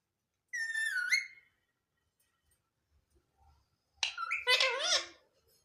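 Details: Parrot giving a harmonic, voice-like drawn-out call, then after a quiet pause a louder burst of wavering, speech-like squawked syllables with a few soft low thumps in between.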